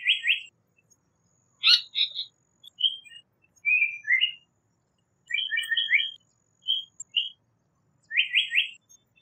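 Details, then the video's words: Japanese paradise flycatcher singing: short, raspy, chattering phrases mixed with clear whistled notes, repeated in bursts every second or two against a faint, high, thin hum. "Japanese Paradise Flycatcher Call / Sound / Song"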